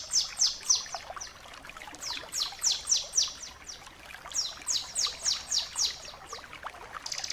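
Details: Bar-winged prinia delivering its energetic 'ngebren' song, kept as tutor material for training birds. Mostly bright falling whistles repeated rapidly in groups of four to six, with brief pauses between the runs.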